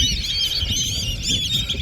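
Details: Large wild flock of Black-bellied Whistling Ducks surrounding the recordist at close range, very loud. A dense, continuous chorus of overlapping high whistles and squeals with no pause, over low rumbling wind or handling noise.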